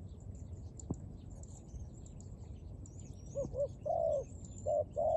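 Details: Dove cooing, with a short pair of soft low coos followed by a longer rolling coo and two more brief notes in the second half, over a low steady rumble and faint high chirps.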